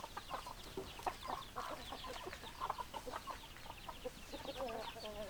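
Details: Several hens clucking together in a flock, with short, overlapping clucks coming in rapid, uneven bursts and a few louder, sharper notes; a low background rumble runs throughout.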